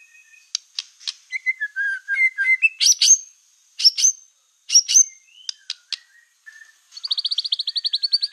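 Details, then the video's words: Black-tailed white-rumped shama lure song for provoking other shamas: scattered clicks and low whistles, then high sharp chips, ending in a fast, even trill of repeated high notes. "PANCINGAN MURAI BATU EKOR HITAM GACOR, SEKALI DENGAR AMPUH BIKIN MURAI APAPUN LANGSUNG EMOSI"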